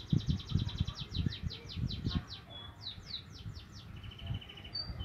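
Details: Juvenile Javan munia practising its chirping, giving rapid runs of thin, high, down-slurred notes, then a brief flat twittering trill, with low thumping noise underneath.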